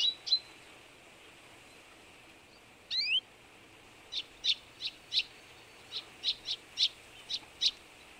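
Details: Partially albino Eurasian tree sparrow gives about a dozen short, bright chirps at an irregular pace, with one quick rising twitter; background otherwise quiet.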